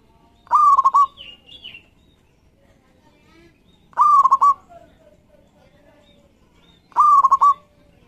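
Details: Lively local zebra dove singing as a lure to stimulate other doves: three rolling, pulsed cooing phrases about every three seconds, with faint softer chirps between them.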